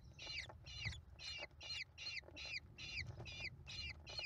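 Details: A brood of five American kestrel chicks being fed by their mother, May 2021: ten evenly spaced harsh, squealing downslurred calls, about two per second, over a low rumble.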